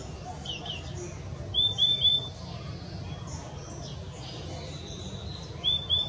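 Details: Purple-throated euphonia giving thin, high, down-slurred whistled notes, a quick group of three followed by a pair a few seconds later, with faint distant chirps from other birds and low background rumble.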